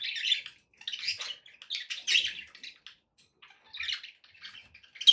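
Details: Pet budgerigars chattering in quick scratchy bursts and twittering phrases, with brief gaps and a sharp chirp at the close.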